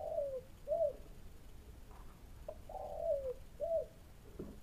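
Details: Spotted dove cooing at an oil palm plantation while being searched for: low, soft falling coos in short phrases, several notes with brief gaps, against quiet background hiss.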